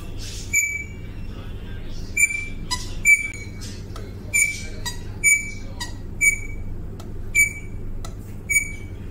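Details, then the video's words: Rosella singing to attract a mate: about ten clear, high, bell-like whistles, evenly pitched and spaced under a second apart, over a low steady hum. "Sweet Rosella singing to attract mate"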